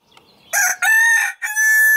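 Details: Marans rooster crowing: after a quiet start, a loud, harsh, harmonic-rich crow bursts in, broken into three strained segments with brief gaps, the last part held as a steady, drawn-out note.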